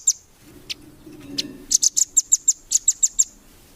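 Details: Velvet-fronted nuthatch song used to train competition birds: a few scattered high, sharp chips, then a quick run of about a dozen piercing notes, with a low background hum.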